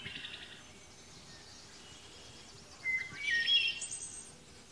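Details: A wood thrush, just arrived on migration at Point Pelee National Park, Ontario, on May 13, 2021, gives one brief song phrase: a few clear, flute-like notes, then a high, thin trill. Soft outdoor background noise.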